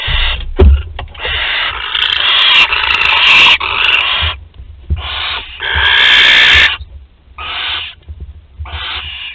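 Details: Barn owl chick, 13 days old, able to swallow prey whole, filmed at Théding, France, on 20 July 2020: loud, rasping hiss bursts follow one another almost without pause, some long and drawn out, with soft knocks between them.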